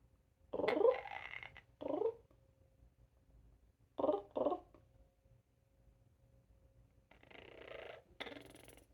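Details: A male pet parrot on a high perch in a big cage in Oviedo, Florida makes his own motorboat sound: four short, rough, low, throaty sputtering bursts, with a person's voice near the end.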